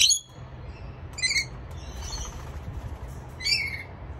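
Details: Rainbow lorikeet calling its friends for a feast: a few short, shrill, screechy squawks, one at the start, another near the middle and a final burst near the end, with a low rumble of background noise throughout.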